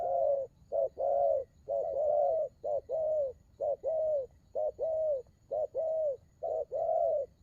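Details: Spotted dove cooing in the đồng gù rước style, loud and steady: paired low hoots, a clipped note then a drawn-out mellow one, repeated rapidly almost without pause.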